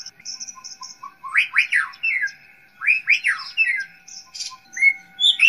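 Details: White-rumped shama song played as a master recording to train young forest-caught shamas: loud, rich phrases of fast rising and falling whistled sweeps, repeated twice, with thin high notes and short chirps between, over a faint steady hum.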